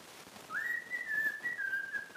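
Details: Cockatiel whistling a tune it was taught, "If You're Happy and You Know It": one long, smooth, clear whistle that rises quickly, then holds steady with gentle wavers and slight dips before fading.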